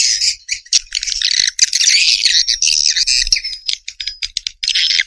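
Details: High, thin chattering of swiftlets in rapid squeaky bursts, some notes drawn into brief whistles, broken by short silences near the end.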